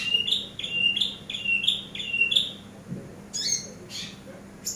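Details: Training master of a Eurasian tree sparrow: five bright, slightly rising chirps in quick succession, followed by rougher, broadband chattering notes after a brief gap.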